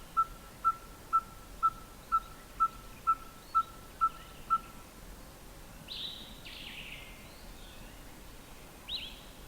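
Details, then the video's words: Closed-beak singing of a Red-fronted tinkerbird: ten evenly spaced hollow notes on one pitch, about two per second, then the series stops; afterwards only faint higher chirps of other birds over quiet background. "Red-fronted Tinkerbird calling with beak closed"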